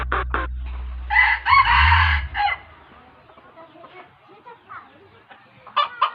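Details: Hmong rooster giving a brief harsh, buzzy crow lasting about a second, preceded by two short clucks and followed by scattered softer clucking, with low music droning at the start.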